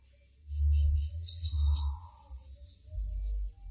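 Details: A wild-caught captive Sumatran prinia that has only recently begun singing gives a short, very loud burst of high, sharp chirps and ringing notes, with only a few variations yet, over a low background rumble.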